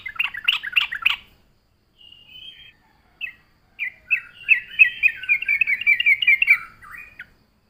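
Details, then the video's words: Yellow-vented bulbul, a strong singer used to lure other bulbuls: a short choppy burst, a few quiet notes, then a long, rolling, bubbly warble. "suara burung trucuk gacor RAJA PIKAT pandai memancing bunyi trucukan bahan dan ombyokan"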